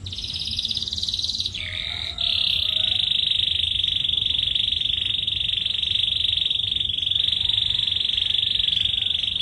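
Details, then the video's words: Song of a dark male jazari bird: a brief varied opening, then a long, steady, buzzy rolling trill held at one pitch for several seconds, dense and unbroken, with a faint low hum in the background. "تغريد فحل جزري غامق"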